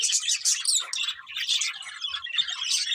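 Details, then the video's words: Budgerigars chirping while eating, a dense, continuous chatter of overlapping high twittering notes and short squawky chirps with no pauses. "Beautiful Budgies Singing and Eating | Love Birds Chirping Sounds"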